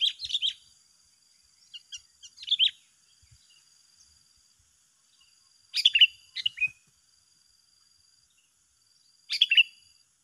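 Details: Two sooty-headed bulbuls singing against each other in a contest: short bright chirpy phrases of bubbling notes at irregular intervals, separated by quiet pauses with a faint high steady tone.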